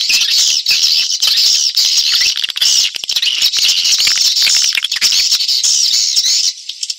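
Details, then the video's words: Edible-nest swiftlet sound used to attract birds into a private nesting house to boost the population; continuous shrill, buzzy twittering, thick and even throughout, ending with a sudden drop. "SUARA WALET"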